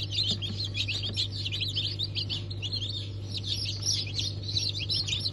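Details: Freshly hatched chickens, Ottoman Sultan, Cream Legbar and Ameraucana breeds, hatched 20 November 2023, giving nonstop high-pitched cheeping from many birds at once against a low steady hum.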